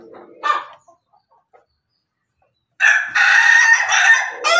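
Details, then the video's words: Pelung Bangkok rooster sharing food with hens gives a brief squawk, falls quiet, then lets out a long, loud, strained crow in several broken segments that runs to the end. "ayam pelung Bangkok makan bersama ayam babon, suara ayam ketawa berkokok"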